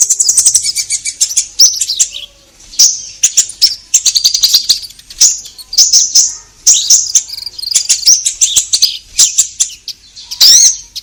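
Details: Orange-headed thrush in a long, unbroken outpouring of song, meant to stir caged birds into singing: dense, high-pitched warbling and twittering with quick clicks and slurred whistles throughout.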